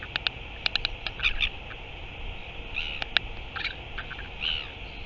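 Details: Northern royal albatross, 9 September 2023, giving rapid clicking bursts mixed with short chirpy notes, repeated in several clusters across a few seconds against constant background hiss.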